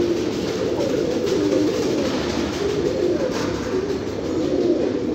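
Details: Flock of domestic fancy pigeons producing an unbroken wash of deep overlapping coos, steady in loudness throughout.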